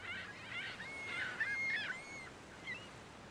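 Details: Ruddy turnstone (Arenaria interpres), call.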